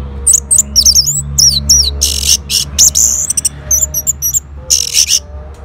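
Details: Orange-headed thrush in Singaraja, North Bali, answering a lure sound with a dense, rapid run of high, looping whistles and harsh scratchy bursts, nearly continuous over a faint steady low hum.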